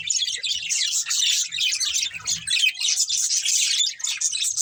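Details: Constant budgie chirping, a dense mix of fast twittering and buzzy warbles with soft low thumps underneath.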